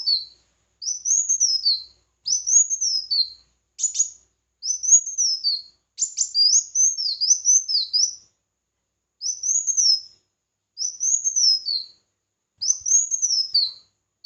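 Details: Contest song of a red-whiskered bulbul, a steady series of arched whistled phrases about every one and a half seconds, with a few sharp clicks and a run of looping notes mid-way.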